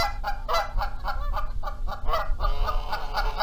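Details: Nesting Canada geese in Charlo, Montana, dispute who gets to sit on the eggs while the gander adds noise. A nonstop barrage of loud, rhythmic nasal honks comes about four per second.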